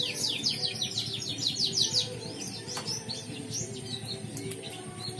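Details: Competition canary from Pontianak, West Kalimantan: a quick trill of downslurred notes in the first two seconds, then softer scattered chirps and short warbles against light background hiss.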